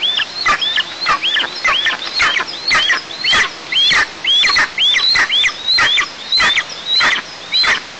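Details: Eagle young at a camera-watched nest in southeast Tatarstan, 6 July 2024, begging as the mother eats by herself: steady series of high, hooked squealing calls, roughly two per second, persistent and insistent.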